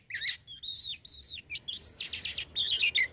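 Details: A Black-winged myna kept by an owner in Indonesia sings a rapid mix of wavering whistles and chattering, rasping notes, building into dense buzzy bursts near the end.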